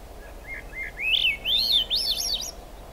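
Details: Singing in the rain at the Squamish River Estuary in July 2022, a Swainson's thrush starts with quiet low whistles, then rises into a quick spiral of ringing, fluty upward-swirling notes.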